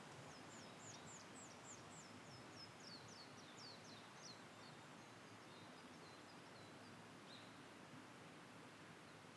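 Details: Blue-and-white flycatcher in satoyama countryside delivers a long series of high, thin, descending whistled notes, slowly fading, set against steady rushing background noise.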